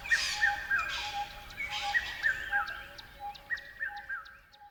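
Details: Chirping birds meant to refresh the mind before sleep or at dawn: a busy mix of quick repeated chirps, some rising and some falling, several callers overlapping, with thin high ticks fading toward the end.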